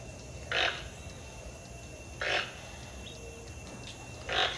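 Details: Three harsh, grating croaks from a toucan, about two seconds apart, against a quiet steady hum.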